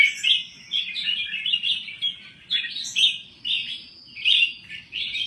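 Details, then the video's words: Red-whiskered bulbul from Thailand, kept by a hobbyist, singing short chattering phrases roughly every half second to second, each a bright tumbling warble. "Kicau Burung Merbah Jambul Gacor"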